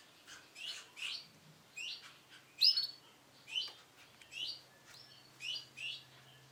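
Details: Male Sunkist canary heard a little farther off, giving about a dozen high, rising chirps in quick succession, one much louder note near the middle, against a hissy, slightly noisy background and low hum.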